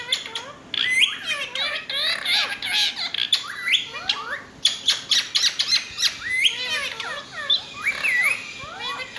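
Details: Loud Indian ringneck parakeet squawking: harsh, rapid screeches and chirps in irregular bursts, dense and nearly nonstop, with a high faint whine throughout.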